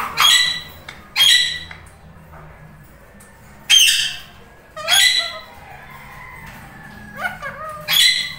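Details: Two tame Indian ringneck parrots, one lutino, bonding and talking at home; separate loud, shrill squawks come every second or so at first, then after a pause, with a few softer whistled notes near the end.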